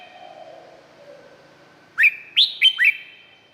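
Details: Red-whiskered bulbul song from Thailand: after faint quiet sounds, four loud, clear whistled notes follow one another rapidly, each swooping up then down.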